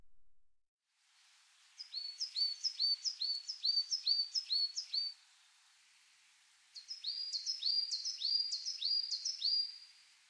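Coal Tit song: quick, high two-note phrases, a descending note then a rising one, repeated in two bursts of about seven phrases each.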